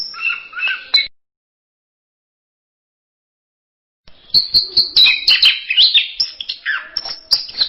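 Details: Anis merah song: a brief high warbled phrase, about three seconds of silence, then a lively cascade of sharp high chirps, whistles and downward slurs, the orange-headed thrush mixing varied masteran phrases.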